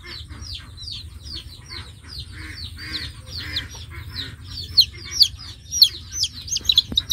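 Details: Baby chickens on a chicken farm peeping: a dense stream of high, short, downward-sliding peeps from several chicks, sharper and louder toward the end, over a steady low hum.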